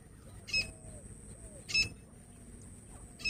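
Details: Female grey francolin voice, used as a hunting sound: brief bright piercing notes about every 1.2 seconds, three bursts, over a steady electronic hiss and low murmuring sounds.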